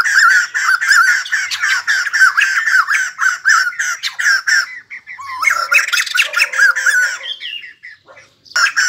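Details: White-crested laughingthrush, kept bird, singing while dancing: a long stretch of harsh, rapid cackling notes, then looser squeaky whistled phrases rising and falling, a short silence, and a final loud burst.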